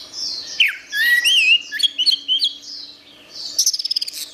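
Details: Orange-headed thrush singing bright wavering whistles and rising-falling slurs, a short pause, then a fast rattling series of clipped notes, with a faint steady hum beneath.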